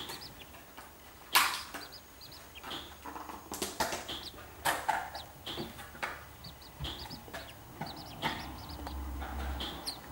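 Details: Seven-day-old captive-bred corncrake chicks in Co. Offaly, Ireland, being hand-fed by a keeper wearing a mask and sock so they will not imprint on humans; many short, high thin peeps scattered throughout, over clattering and thumping handling noises.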